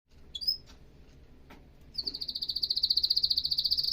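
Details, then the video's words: Canary song: a few thin high notes, then from the midpoint a fast, accelerating trill of repeated pulses, high and steady, growing louder to the end. "تغريد كناري احترافي صوت يشعل الحماس عند الطيور"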